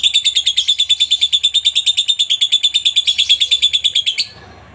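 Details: Lovebird in long 'ngekek' chatter, a master track for teaching other lovebirds: a sustained, very regular stream of shrill, buzzy pulses, roughly three a second, ending abruptly into quiet room noise.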